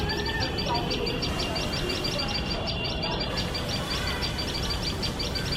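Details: Nest-guarding tailorbird pair sounding off at a male cat nearby, a rapid string of sharp, high, evenly spaced chips, about three per second, above low rumbling noise.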